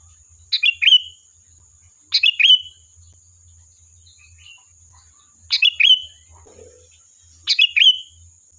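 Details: A sooty-headed bulbul's lure song for drawing a reply: four bright, bubbly phrases of quick sharp notes and a fluty slurred end, separated by pauses, a soft lower note once in the gap and a steady high hum.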